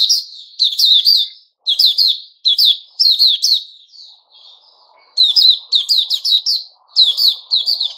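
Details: White-rumped shama singing on 29 August 2021, vigorous whistled phrases of sharp ringing notes alternating with a brief soft warble, plus a faint low rustle in the background.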